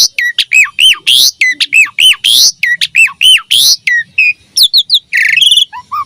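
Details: Javan pied starling repeating a loud hooked squawky phrase about once a second, then switching to high chirps and a harsh buzz, song used to train young starlings.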